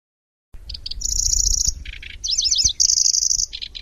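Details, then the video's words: Long chattering song of a Lanceolated warbler: staccato notes, a high reeling trill, a lower grainy rattle, quick zigzag whistles, then a second long reel and clipped bursts, with low rumble behind. "Suara Burung Kecici Belalang | Nyecret Durasi Panjang"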